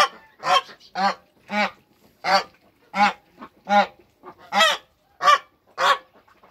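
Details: Toulouse goose mother in a backyard, on her goslings' first day of life, with hybrid African and Toulouse geese. She gives about ten nasal, harmonic-rich honks at roughly even spacing, each short and strong, over a quiet background.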